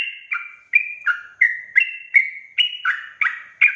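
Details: Continuous sooty-headed bulbul song, the energetic 'gacor' type used as a trapping lure so wild birds respond: crisp warbled notes repeated nearly three times a second, pitch shifting between high and lower tones.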